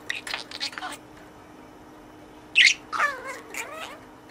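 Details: Caged budgerigar talking in learned words to its toy friend: soft muttering chatter, a pause, then a sharp chirp followed by wavering, speech-like warbled syllables.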